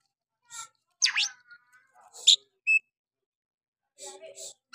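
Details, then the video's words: Oriental magpie-robin in a lure recording meant to stir other magpie-robins into singing, in a rough 'nembak' style. Sparse high notes: a sharp downward-sweeping note, brief chirps and a clean whistled note, with quiet gaps and faint lower sounds. "Pancingan Kacer malas bunyi. bangkitkan emosi Kacer lain"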